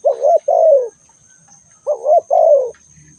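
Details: A spotted dove gives two soft cooing phrases in quick succession, each pairing a rising, bouncing note with a longer, smooth descending coo. A faint steady high-pitched tone runs underneath.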